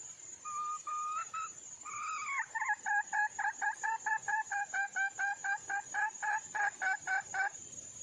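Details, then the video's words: Female red junglefowl in the wild seeking a mate, giving a pair of held rising notes followed by a long, even series of some twenty clipped double-pitched clucks; a constant shrill insect drone runs underneath. "le bruit d'une poule sauvage,เสียงไก่ป่าร้องหาถู่หาตัวผู้,ສຽງໄກ່ປ່າຮ້ອງຫາຄູ່ຮັກ, poj qaib qus see"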